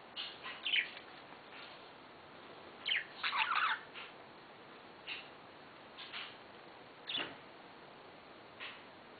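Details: Pet budgerigars being playful give scattered short, scratchy chirps and warbles against a steady background hiss.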